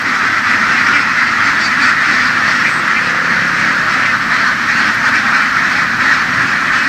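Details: A large flock of laying ducks herded across open fields in Vietnam's western region, a steady dense wash of overlapping quacks with no breaks, a continuous chattering chorus from many birds at once.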